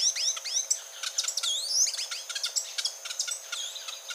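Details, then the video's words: Grey-and-gold tanager, a species resident in Colombia, Ecuador and Panama, singing a rapid string of very high, thin chirps and sweeping whistled slurs, some rising and some falling, packed closely together with brief gaps. "O canto da Saíra platinada"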